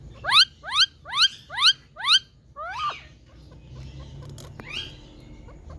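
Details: Indian talking parrot kept at home, repeating five loud rising harmonic squawks at an even pace, then one broader squawk and a fainter call after a click.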